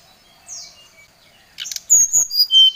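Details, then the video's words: Excited brown-chested jungle flycatcher calling a rival, quiet at first with a soft downslurred whistle, then rustling clicks and a fast burst of loud, sharp whistled notes sliding downward. "srdc memanggil lawan | srdc gacor Emosi"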